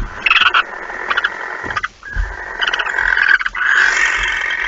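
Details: Barn owls at the nest on the morning of 26 August 2019, during delivery of the night's second mouse: shorter hisses mixed with chittering notes and scratchy knocking sounds.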